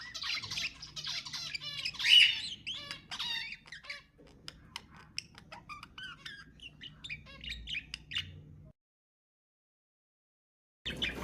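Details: Pet budgerigar song played to stimulate other budgies to sing: dense, fast chattering warble of squeaks and clicks for about nine seconds, then a pause of silence before a short burst of chatter resumes.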